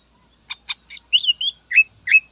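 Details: Greater green leafbird song used to provoke rivals: a few short dry ticks lead into slurred, bright whistled phrases and ringing chirps, delivered quickly in a clean, quiet setting.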